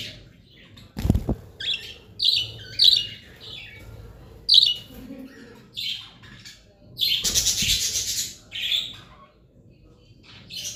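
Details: Budgerigars (Melopsittacus undulatus) call with bright, scratchy chirps and warbling squawks in quick, irregular bursts.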